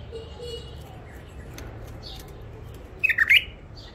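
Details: Bulbul caught wild near Mandali and held in first isolation: after quiet background hiss and faint chirps, a sudden short burst of loud, tumbling whistled notes near the end.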